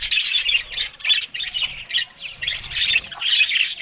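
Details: Australian budgerigars eating greens in the morning; bursts of squawky, buzzy warbling alternate with short pauses, and the busy twittering rises and falls.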